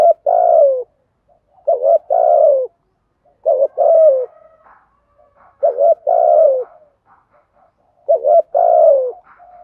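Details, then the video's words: Spotted dove used as a decoy bird, cooing in a trained, well-practised style: low phrases of two short notes and a long, wavering, falling coo, repeated about every two seconds with short silent gaps between phrases. "chim cu moi thuc gu bài bản"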